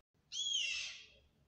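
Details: A Yellow-headed Caracara in a city gives a single harsh, hissing scream that fades away after about a second; Yellow-headed Caracara.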